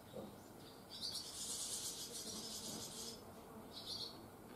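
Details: Barn swallow fledglings on their first day after leaving the nest. A dense burst of high twittering chirps lasts about two seconds, then a brief lone chirp follows near the end over soft background noise.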